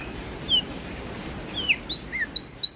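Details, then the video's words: Prinia from West Nusa Tenggara (NTB) giving a few scattered, thin, high chirps with downward slurs, growing quicker toward the end over a steady background hiss. "PRENJAK DAUN NTB Gacor Ngeplong Suara Merdu"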